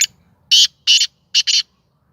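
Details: Tame captive black francolin of the Sindhi type delivering its first call: four harsh rasping notes in a quick phrase, the final pair tightly spaced, with near-silent surroundings.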